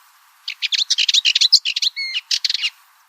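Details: Cyprus Warbler delivering a quick, even rattle of clipped, dry notes for roughly two seconds, with one clearer, ringing note near the end of the phrase.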